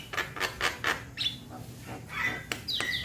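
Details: Young Javan myna calling companions: a quick run of rasping clicky notes, then softer harsh notes and a closing squeaky whistled phrase.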